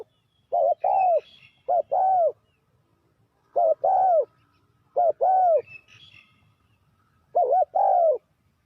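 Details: Spotted dove calling as a lure to draw wild doves in for trapping: clear, mellow cooing phrases in paired and triple notes, each burst a short coo then a longer rounded one, repeated in groups about every two seconds over quiet background.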